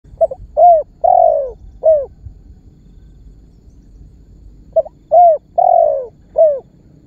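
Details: Spotted dove giving its calling coo, used as a lure to draw other birds into calling. Two identical low cooing phrases separated by a pause: a quick double note, a short coo, a long drawn-out coo, then a falling final coo. Quiet background.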